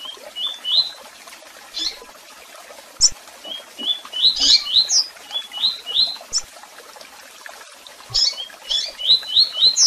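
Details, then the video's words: Tui tui song of a double-collared seedeater with chirps and calls, a run of brisk upward-slurred whistles interrupted by sharp high chips, the phrase returning again near the end. "Canto de Coleiro Tui Tui Com Piado e Chamados!!!"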